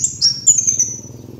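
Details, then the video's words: Sunbird known locally as kolibri wulung, recorded as a trapping lure: a brief run of piercing high whistled notes, the last drawn out and slowly fading, with a faint low droning hum behind. "MASTERAN PIKAT BURUNG KOLIBRI WULUNG"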